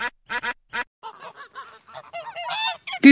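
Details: A domestic goose gives three short, brassy honks in quick succession, then a run of lower, chattering gabbles; a child-directed voice may be mixed in.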